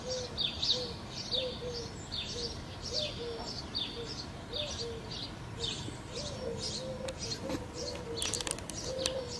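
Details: Mourning dove on a Berkeley morning: soft, low hooting coos repeating steadily beneath a busy chorus of high, quick chirps from other small birds.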